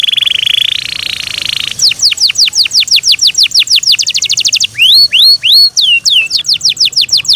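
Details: Kept Yorkshire canary in song, opening with a rapid buzzy trill before switching to fast downward-sweeping whistles, then a few rising upslurred notes and more descending notes.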